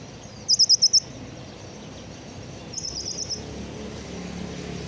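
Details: Caged sunbird kept as a hobby songbird, just finished moulting and immediately showing its repertoire: a fast burst of five very high, sharp notes, then a shorter high trill about two seconds later, over a steady low rumble.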